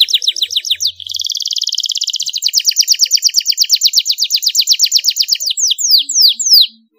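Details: Juvenile canary singing an ornate cengkok mewah master song: short repeated sweeps, a steady dense buzzy trill, then a long string of rhythmic descending notes ending in a few louder slurs.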